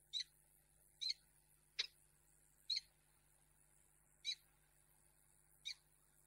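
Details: A female peregrine falcon refuses a gift in Reda, Poland, on 10 March 2022; fainter, evenly spaced rasping chips roughly once a second over a low steady hum.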